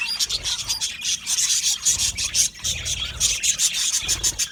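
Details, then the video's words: Aviary budgies chirping as a colony: a rasping, busy high chatter in quick pulses, with occasional clearer whistled notes, over a soft low rumble. "Budgies singing and Chirping Sounds"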